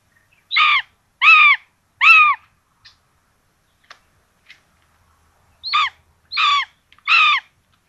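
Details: Common buzzards at a nest in Tiszalök, Hungary, on 26 June 2022, where two chicks are fed a rabbit for breakfast. Short harmonic notes that drop at the end come in two bursts of three, spaced under a second apart, with silence between.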